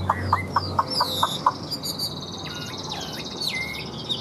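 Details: Newly arrived Chinese hwamei, northern Vietnam, as rain approaches, sings a quick run of about six clipped mid-pitched notes, then high, looping whistled phrases; a man's voice murmurs briefly at the start.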